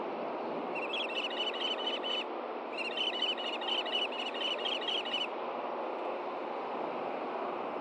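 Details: During a fish delivery at a Montana osprey nest, Hellgate Canyon, June 6, 2014, the male struggles to get the female to take the fish. Two runs of fast, piercing whistled chirps, then quiet rushing noise.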